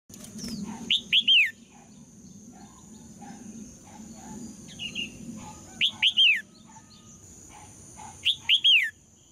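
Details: Female red-whiskered bulbul singing to provoke males into singing hard: three clear phrases, each two quick upward whistles and a longer, falling slurred note, with a steady high electronic whine and faint low rumble behind.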